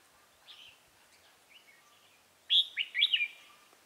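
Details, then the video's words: Red-whiskered bulbul used as a decoy at a trap to lure wild rivals, recorded 28 October 2018: a faint warbled phrase, then a loud burst of bright, slurred whistled notes near the end. "Bẫy chào mào Bổi đá lân Chơi lắc lư ngày 28/10/2018"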